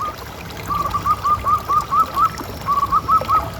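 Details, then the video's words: Local zebra dove, captive, its call used to prompt others to call: two runs of short, soft, upslurred coo notes repeated in quick even rhythm, the second run shorter, over faint steady hiss. "Suara Paling Ampuh Untuk Pancingan Burung Perkutut Agar Bunyi Terus"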